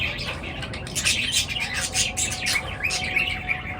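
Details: Birds twittering in the morning: a busy stream of high, quick chirps and short trills overlapping throughout, with a faint steady tone and low rumble underneath.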